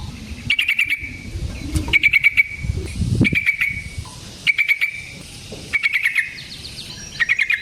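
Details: Yellow-vented bulbul, a vocally active bird singing long rolling phrases, used as a lure to make other bulbuls sing: short bursts of rapid bright chattering notes repeated about every second and a half over low background rumble.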